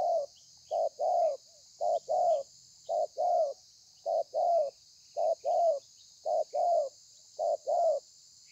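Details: Spotted dove in thổ pha cooing style, wild-caught, 30/11/2020: a regular series of eight two-note phrases, a brief coo then a longer slightly falling one, about one phrase per second; constant faint hiss.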